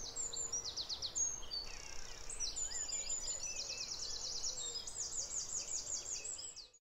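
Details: At dawn on a lakeside reserve, a Song Thrush sings loud, repetitive, shouty phrases of high, clear notes, each phrase repeated several times, among other dawn-chorus birds and a steady background hiss.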